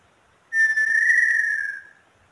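A small-billed tinamou gives a single pure, mellow whistle lasting about one and a half seconds, steady then gently falling, against a quiet background.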